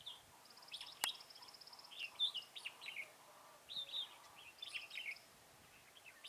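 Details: Red-whiskered bulbul at a trapping site at Chùa Hương, Mỹ Đức, 11 November 2017: lively warbling phrases of slurred notes, with a sharp click near the start and a fast, rattling high trill from another bird in the background.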